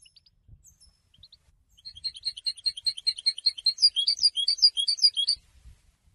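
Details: Goldfinch singing to announce presence or attract females: after a quiet start, a rapid run of high, tinkling notes builds for about three and a half seconds, ending in sharper, louder chirps before falling silent.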